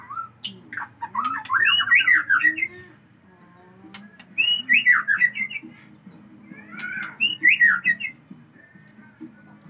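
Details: White-rumped shama of the Aceh type unloading a very long repertoire of learned song fills; three bursts of rapid, varied whistled and warbling phrases separated by short pauses, with a low background hum.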